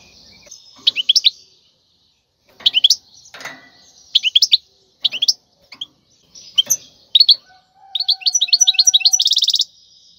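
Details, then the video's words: European goldfinch, wild khalwi song for teaching young birds: short clusters of sharp chirps spaced about a second apart, then a closing run of quick notes and a dense buzzy trill, with a faint low whistle beneath. "تغريد الحسون البري لتدريب الفراخ"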